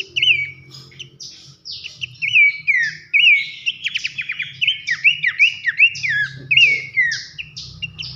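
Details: Bush babbler called pelanduk semak, loud nyiul whistling masteran for training contest songbirds: repeated down-slurred whistles with upward flicks, a short rattling trill midway, steady fast delivery, faint low hum.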